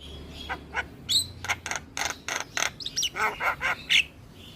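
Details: Javan myna, a caged bird described as singing vigorously while bobbing its head, gives a series of harsh broadband notes and short whistled chirps, about a dozen bursts spaced irregularly over a few seconds.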